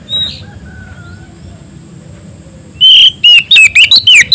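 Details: Oriental magpie-robin singing hard in ngeplong style to call a rival: after near-silence, a sudden run of loud, ringing whistles with rapid rising and falling slurs, about seven notes in a second and a half.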